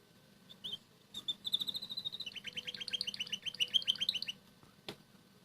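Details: Pet red canary singing softly in the morning while eating boiled egg yolk. A second canary eats radish leaves nearby. About three seconds of high twittering: a drawn-out thin whistle, then a quick run of sharp, bright, repeated notes. There is a click near the end.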